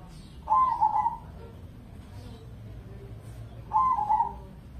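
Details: Zebra dove, a crossbred Indonesian competition bird, singing as a lure recording to prompt other doves to sing. Two rolling, trilled cooing phrases arrive about three seconds apart over a steady low background hum.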